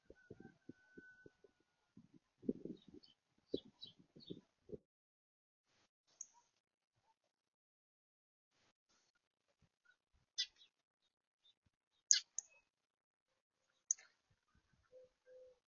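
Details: A European robin visiting a feeder in the morning gives a few sharp, high ticking calls spaced several seconds apart, after some low knocking.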